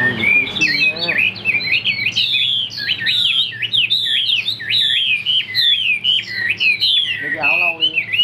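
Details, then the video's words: Strong-voiced caged Chinese hwamei singing continuous high, looping whistled notes, fast and varied, with a low murmur of a person speaking at the start and a brief squeaky phrase near the end. "Bộ khủng hót cực tốt, đuôi lá vả, hót cao cầu | Họat Họa Mi"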